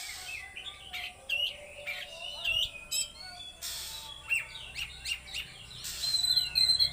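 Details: Loud full-power song of a kacer, the Oriental magpie-robin: bursts of harsh, squawky notes alternating with whistled and chattering phrases in quick succession, over a steady high background tone.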